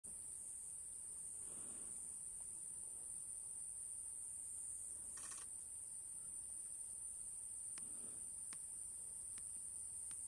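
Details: Eurasian hoopoe giving its breeding song on Ishigaki Island in mid-April. Soft, low, hollow hoots come in two short bursts several seconds apart. A steady high cicada drone runs throughout, with sharp camera shutter clicks toward the end.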